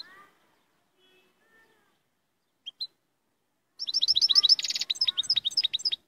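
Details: Moroccan royal goldfinch: after a quiet start with two short chirps, a burst of quick, high twittering song follows. A harsh buzzy rattle sits in the middle of the phrase, and clear tinkling notes close it.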